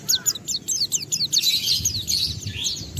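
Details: Oriental white-eye in full song, used as a lure to provoke other white-eyes into singing; quick series of thin, sharply falling high notes running into a denser twittering burst, faint low rumble behind.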